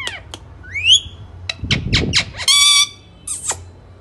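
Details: Ring-necked parakeet kept as a pet, imitating Urdu speech in a small room: sharp falling squeaks, an upward whistled slide, clipped syllable-like bursts and a sustained nasal harmonic squawk near the end.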